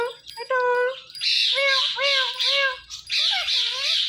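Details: Hand-tame talking parrot voices a steady nasal note, then a string of wavering, squawky syllables, sounding like imitated meows and talk, over a faint low hum.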